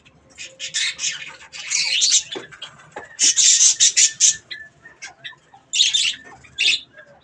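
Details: Pet budgerigars eating strawberries produce loud, dense bursts of scratchy chirping and warbling squawks in clusters, with brief gaps between them.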